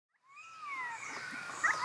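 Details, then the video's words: Pied Currawong (Strepera graculina) calling at 11:50 on 21 July 2019 at Carnarvon Gorge, Queensland, Australia: a drawn-out, ringing whistle that bends slowly downward, then a couple of short, sharp notes near the end. "Pied Currawong Call"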